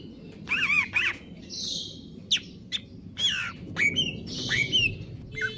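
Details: Greater green leafbird in stable condition delivering 'konslet kejer nembak' song: wavering warbled phrases, abrupt sharp chips and falling whistled slides, mixed with harsh squawky notes, over steady low background noise.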